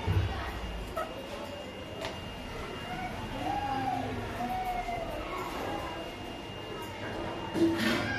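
A rose-ringed parakeet talks in a run of word-like phrases, rising and falling in speech-like patterns over a steady low hum.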